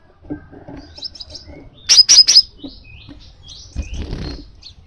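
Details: Crimson sunbird call: three sharp, very high metallic notes in quick succession, framed by soft thin twittering and a brief rustling burst near the end.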